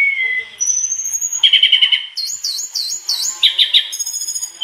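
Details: Spirited mangrove blue flycatcher song of learned fill-in phrases: a sliding whistle, a rapid buzzy trill, looping wavy high notes repeated several times, then more trilled bursts.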